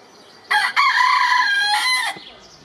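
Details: A rooster gives one loud crow lasting about a second and a half: a brief opening note, a short break, then a sustained hoarse tone that dips at the end, over a quiet background.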